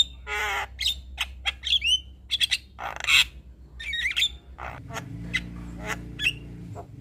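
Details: Javan myna, white-eyed form, in energetic song packed with fill phrases and nodding: scratchy rasps mixed with sharp whistled notes and quick chirps, then a quieter stretch of scattered clicks above a low rumbling background.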